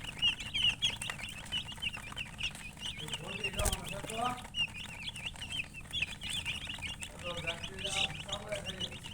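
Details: Young chicks give bursts of high, quick peeps, mixed with lower hen-like clucks and a sharp knock near the middle, over background hum.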